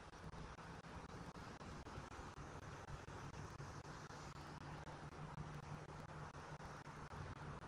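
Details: Continuous road traffic and a low steady hum, with no animal voices heard.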